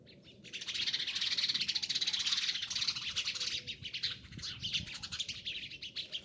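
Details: A flock of sparrows chirping in a dense, continuous chorus of overlapping bright chips, building after a brief quiet start and staying busy throughout, with a faint outdoor rumble beneath.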